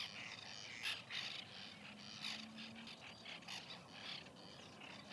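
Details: Harsh, scratchy calls from a white-winged tern nesting colony, recorded in 2021, overlapping constantly, a few sharper notes rising above the crowd and a low steady drone in the background.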